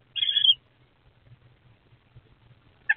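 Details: Two eastern screech owlets in a nest box on 23 April 2024: one brief raspy, wavering call lasting about half a second, then near silence with faint low thumps, and a short sharp note at the end.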